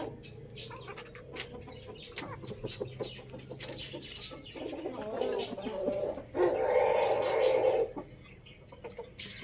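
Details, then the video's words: Rooster crowing in the morning: after softer mixed calls, a loud, drawn-out harmonic crow of about one and a half seconds swells and then breaks off. Small birds chirp throughout. "Adorable Rooster Crowing Sound Effect"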